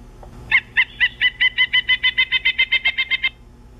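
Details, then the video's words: Pileated Woodpecker recorded 13 March 2015: a loud, ringing run of about fifteen even 'wuk' notes, roughly five a second, lasting nearly three seconds. "Pileated Woodpecker"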